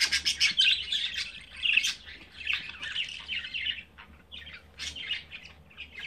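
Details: Budgerigar chicks on their fifth day of development, the third chick having hatched the night before; dense, high, raspy chirps tumble over one another in bursts, with short pauses near the end.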